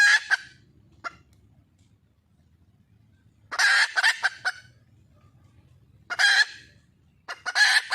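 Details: Red junglefowl hen in the wild calling to attract a male: harsh, loud, broadband squawking bursts with a few scattered clucks, long quiet gaps filled by a faint low hum.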